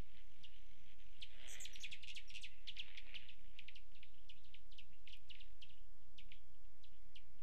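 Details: Male Broad-tailed Hummingbird hovering and sipping at a feeder in the Davis Mountains near Fort Davis, Texas, above 5800 feet, 18 October 2019: high, metallic ticking bursts in quick irregular runs over a faint steady low hum.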